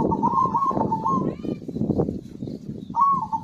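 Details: Zebra dove singing steadily: a rolling, trilled coo phrase lasting over a second, then a fresh phrase starting near the end, over a dense clatter of low background noise.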